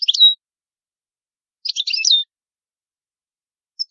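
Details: European goldfinch in the old Palermo Sicilian style: two bright twittering phrases, each ending in a clear held note, separated by a gap of over a second, in silence.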